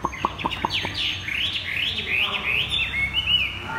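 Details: Rapid "thắt cổ chai" song from a caged Chinese hwamei: quick dry ticks open into a fast series of bright, downslurred whistled notes, rising and falling in a rolling chain.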